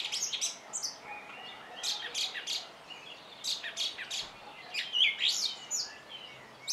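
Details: Song thrush singing: bursts of bright, high chirping notes in quick clusters, with short pauses between varied phrases.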